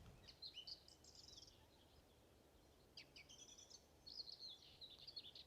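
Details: A distant song thrush, identified with the Merlin app, sings bright, varied phrases of high whistles and chirps in short bursts, with faint rural background noise.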